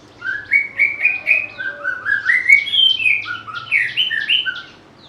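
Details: White-rumped shama song made of repeated whistled couplets and slurs that rise into a dense, jumbled burst of varied notes before tapering off, about four notes per second.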